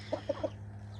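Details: Backyard chickens at breakfast, being hand-fed by their keeper: three short soft clucks in quick succession, about a sixth of a second apart, over a steady low hum.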